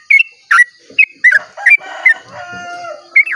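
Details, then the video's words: Sooty-headed bulbul giving long dawn song used to lure other bulbuls; a few loud slurred whistles, then a drawn-out rooster-like crow in the middle before the whistles return. "pancingan trucuk ropel panjang cengkok termerdu saat subuh"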